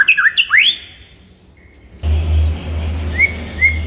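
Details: White-rumped shama morning song for firing up a kept bird: a short burst of bright rising whistles, then steady low rumbling noise with a couple of faint whistled notes.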